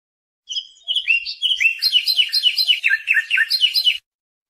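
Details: European goldfinch singing a lesson song for young birds, a rich, fast jumble of twittering and slurred chirps that runs for about three seconds without pause.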